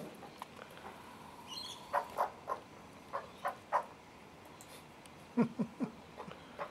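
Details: Newly fledged juvenile Australian magpies on their first visit, hungry and screaming, with a nervous adult male (their father) nearby: short, harsh, nasal squawks in uneven bursts of two or three, one thin rising whistle early on.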